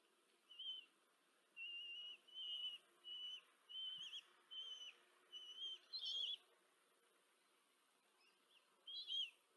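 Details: Female common kestrel feeding four chicks at a nest in Tiszanagyfalu, Hungary, 14 July 2023, recorded by a nest camera. A steady series of short quavering whistles comes about every half second, then a pause, then two more calls.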